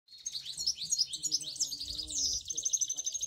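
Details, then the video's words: Three cock finch mules, all last year's birds, singing a fast, twittering song of high chirps and trills, several voices overlapping, with faint low murmurs in the background. "Cock mules singing finch"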